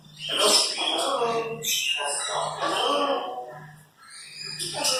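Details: Two pet Congo African grey parrots, aged 4 and 9 years, mimic human speech in chattering, word-like phrases with a few sharp squawks, over a steady low electrical hum.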